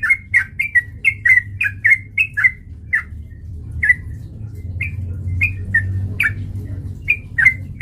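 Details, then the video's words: Sooty-headed bulbul song meant to lure and provoke fighting: a brisk burst of repeated bubbly notes for two and a half seconds, then scattered single chirps every second or so, with a low background drone. "PANCINGAN trucukan gacor TARUNG MENJADIKAN burung trucuk gacor NYAMBAR"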